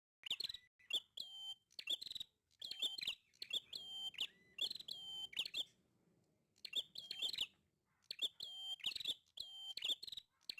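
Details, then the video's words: Prinia singing very actively: loud, harsh, buzzy phrases of repeated sharp notes with a steady high tone, given in bursts about every second and broken by short pauses. "Burung prenjak gacor banget"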